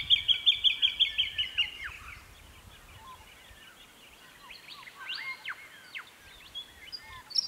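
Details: Jacky winter (Microeca fascinans) on a chilly early September morning, 2018, Capertee Valley, NSW: opens with about eight rapid, sharp repeated notes, followed by softer varied chirps and whistles from other birds in the background.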